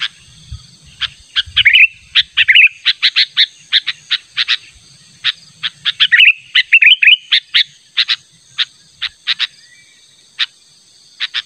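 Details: A sooty-headed bulbul's natural call, used to lure rivals: scratchy chip notes mixed with fluty rising whistles in two bursts, then slower spaced chips in quiet surroundings.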